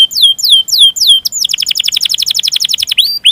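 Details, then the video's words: Canary song used as a training and stimulus recording with a long roll: sweeping downward whistled notes repeated about three per second, then a rapid rattling trill of short falling notes, ending in a rising whistle. "Masteran Suara Burung Kenari Ngerol Panjang Cuit Cuit emosi"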